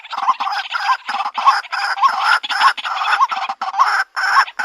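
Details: A female white-breasted waterhen calls for a mate in a loud, harsh, nearly continuous stream of nasal croaking notes, broken by short gaps and faint low knocks.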